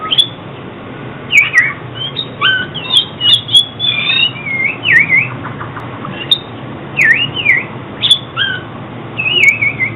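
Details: Oriental magpie-robin song intended for trapping and training cage birds to sing. Short bright whistled phrases, each slurring downward or curling up, repeat every second or so with scattered clicks and a faint low hum.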